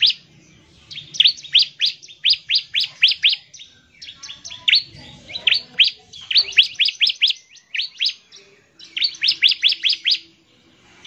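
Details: Bar-winged prinia singing in rapid, continuous 'ngebren' style, used to call other prinias into lively song: bursts of five to eight sharp, high chirps, each burst about a second long, separated by short pauses, over a faint low hum.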